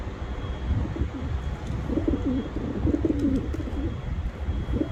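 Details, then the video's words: Pigeon giving soft, low, burbling coos in the middle stretch, over a steady low rumble of background traffic or wind. "Pigeon sound Effect | High Quality Pigeon Sounds"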